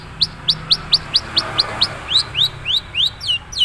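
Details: Original voice of a Madura long-tailed shrike with little mimicry added: a brisk series of about fifteen short, high slurred whistles, first evenly spaced and rising, later longer and sweeping, over soft low background noise.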